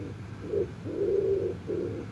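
A dove gives a soft, low, hollow coo in three parts: a brief opening note, a longer drawn-out middle note, then a closing note, over faint background hum.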